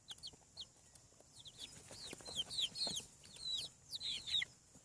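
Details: A chorus of newly hatching farm chicks gives rapid, high-pitched descending peeps, overlapping and growing denser toward the end.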